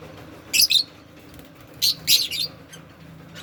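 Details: Pet Indian ringneck parrot at bath time giving paired harsh, high squawks, then another close pair about a second later, against a low, quiet background.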